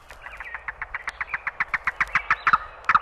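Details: Yellow-billed Cuckoo, in a 1961 field-guide recording of eastern and central North American birds, gives a fast run of hollow, wooden knocking notes, about five or six a second, growing louder toward the end.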